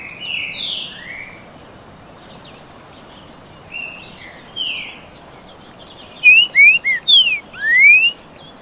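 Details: Green-winged saltators, two birds clashing in canto boi song: scattered fainter whistled notes, then a loud sequence of five clean slurred whistles with a rising final sweep.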